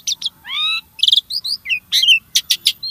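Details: Short burst of starling song meant to prompt caged birds to sing: gliding rising whistles, then a buzzy chord, quick chirps and a few harsh bursts close together.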